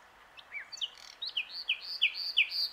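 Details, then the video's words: Common nightingale singing on its branch at Plan d'eau du Breuil, Bourbon-Lancy. It gives clear, loud, whistled notes that slide downward, repeated in an accelerating rhythmic phrase, with a quiet background. "Rossignol Philomèle (Luscinia megarhynchos) chante sur sa branche"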